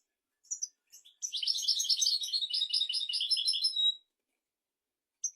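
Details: European goldfinch singing a 'royal' song intended to train goldfinches and canaries: a few sharp introductory chirps, then an almost three-second run of quick, liquid twitters and tinkling trills, ending abruptly, with one faint chirp after silence.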